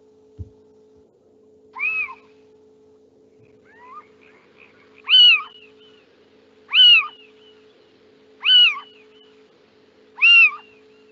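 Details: Little owl giving its typical mewing call, heard in France on spring and summer nights: short, sharp, slightly falling mews repeated about every one and a half to two seconds, over a steady low electrical hum.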